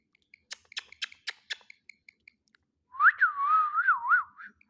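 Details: Ring-necked parakeet kept as a pet, talking: a burst of sharp clicks and soft high ticks, then a long, fluid, wavering whistled phrase that rises and dips several times before breaking off.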